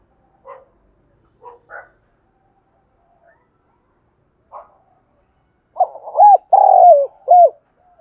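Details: Spotted dove from Đồng Nai calling, a sound used as a lure for wild doves: a few faint short notes, then one loud low phrase of stuttered coos, a long drawn note and a clipped final coo near the end.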